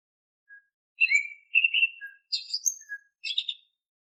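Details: Oriental magpie-robin whistled song, used as a lure to get untrained caged magpie-robins singing: a short soft note, then varied clear whistled phrases and rapid warbled bursts in quick succession over about three seconds, on a quiet background.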